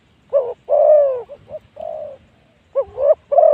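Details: Decoy Spotted Dove luring wild spotted doves at spot 136. Husky cooing in phrases. A hooked opening note leads into a long sustained coo, followed by brief soft notes and another long coo, then a fresh phrase starts.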